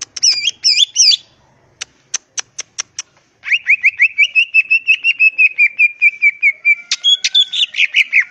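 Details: Greater green leafbird, known locally as cucak ijo, in energetic song: a whistled opening phrase, a few sharp ticks, then a long fast string of repeated chirps followed by mixed warbling notes.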